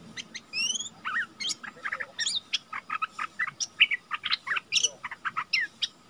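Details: Wild and decoy bulbuls exchanging song near a cage, February 2021: a dense, uneven chatter of sharp chirps, rising whistles and quick slurred notes over about six seconds, with quieter background calls.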